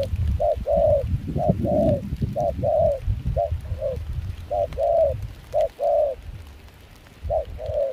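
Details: Cold wind and rain surround a wild-caught spotted dove singing in a mixed foreign-style voice at a Kon Tum decoying spot. Mellow coos come in short-long pairs, pausing near the end, over heavy low wind noise.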